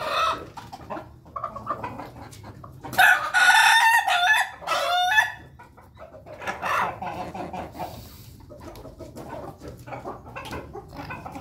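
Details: A flock of Ayam Ketawa chickens eating together in their coop; a loud harsh rooster crow with a stuttering, laughing broken pattern in the middle, surrounded by busy soft clucking and pecking sounds from the group.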